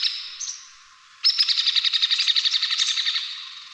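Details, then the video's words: Hairy Woodpecker giving its whinny: a couple of short high notes, then a rapid rattling series of about twenty sharp, slightly lower notes lasting over two seconds and fading toward the end. "So, I mean, the hairy can kind of do a whinny as well, but again, it sounds a little bit different."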